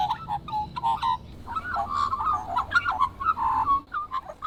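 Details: Australian magpies (Gymnorhina tibicen) carol in rich, fluting, warbled phrases that rise and fall, several birds overlapping in a continuous chorus with a low background rumble.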